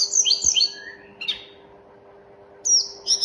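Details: Snowy-browed Flycatcher, called mountain tledekan, gives quick high whistled notes, then a lower drawn-out whistle and a short buzzy note. After a pause, a bright high phrase repeats twice over a constant low electrical hum.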